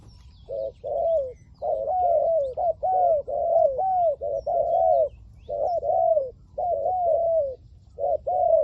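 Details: Spotted dove used as a decoy to lure wild doves, cooing in a rapid, nearly continuous run of arched, falling notes, short paired notes mixed with longer coos, with brief gaps between bursts.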